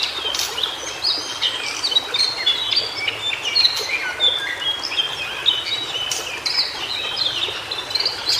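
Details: A White-browed shortwing sings in natural habitat, pouring out a long, rambling run of high, quick whistles and twittering trills that rise and drop without a break, with a light wash of forest noise behind.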